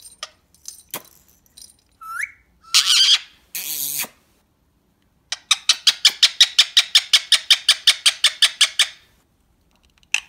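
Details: Male Indian ringneck parakeet, said to be talking; harsh squawks and a rising squeal, then a rapid, even series of about seventeen sharp chattering notes, all close and loud in a quiet room.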